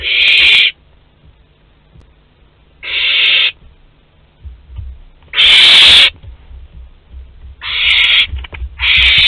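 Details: Loud, harsh hissing screeches from a young barn owl visiting its parents' food store, Théding, France, 10 July 2021; five bursts under a second each at uneven gaps, with faint rustling between.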